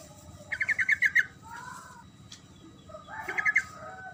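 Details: Sooty-headed bulbul singing 'gacor ngerol' to draw replies from silent birds: a quick chain of six chattering notes, some softer slurred sounds, then another burst of bubbly notes, over low steady background noise.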